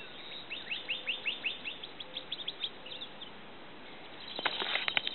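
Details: A Pyrrhuloxia (Desert Cardinal, Cardinalis sinuatus) near Llano, Texas, in May 2012 sings a quick run of about a dozen sharp, down-slurred whistles, then pauses before a few clicky, rustling sounds close by.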